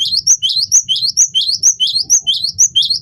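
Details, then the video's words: Cinereous tit (gelatik batu) in vigorous song, used to tutor and prompt other songbirds: a steady string of two-note phrases, a high whistled note dropping to a lower buzzy one, repeated about twice a second, over faint low rumble. "masteran burung gelatik batu gacor pancing bunyi"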